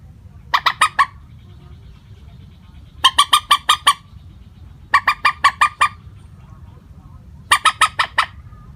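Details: Common moorhen call without note variation, used as a lure call: harsh, clucking bursts of three to five quick notes, repeated about every two seconds over a faint low hum.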